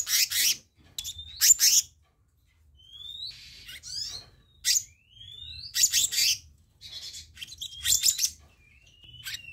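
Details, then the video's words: Black-naped monarch calls used as a tutor and lure recording: loud bursts of harsh, rapid chattering notes alternating with thin, rising whistled slurs and short gaps of near silence. "Masteran/Pancingan Kehicap Ranting Bahan Dijamin Langsung Nyaut"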